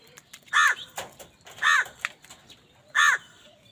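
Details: Crow calling in anger while fighting wild birds over food; three loud, raspy, nasal caws, each about a quarter second long, repeated at roughly one-second intervals, close and clear with little background.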